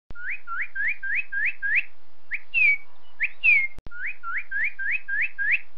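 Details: Northern cardinal (Cardinalis cardinalis) song: quick runs of rising, slurred whistles, about four a second, broken by a couple of loud, falling 'cheer' notes.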